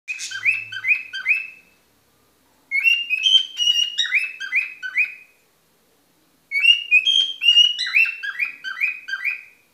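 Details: ['Pet cockatoo whistling in three bursts of rapid, repeated, bright downslurred chirps, about a second or two each, separated by short silences.']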